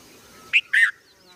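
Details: Red-vented bulbul calling: two quick, clear notes, a short bright chirp followed by a slightly longer, slurred one, against faint background noise.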